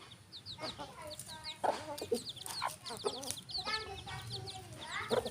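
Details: Rooster and hen farm animals clucking in short bursts, with stacked harmonic notes, several louder clucks about every half second, and high-pitched chirps scattered throughout against a noisy yard background.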